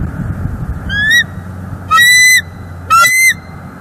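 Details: Bald eagles, a wild pair at a Northeast Florida nest in December. The female stays on the nest or a lookout branch while the male keeps watch. A nest camera catches three loud, high, rising-then-falling squealing notes about a second apart.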